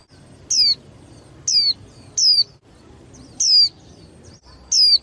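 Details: Female white-eye, caged and used to excite males for singing contests, repeats brief high falling whistles, five across five seconds at uneven spacing, over a soft low rumble.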